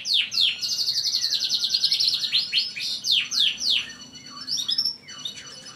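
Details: A canary sings a fast, bright, continuous high-pitched run of rolling trills, sweeping whistles, rapid repeated notes and sharp chirps. The song is meant to rile other canaries.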